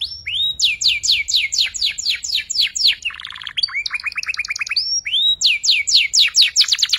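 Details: Young canary practising song for tutoring; loud rapid series of descending sweeping whistles, a brief low rattle, a two-tone buzzy passage, then more sweeping whistles repeated quickly.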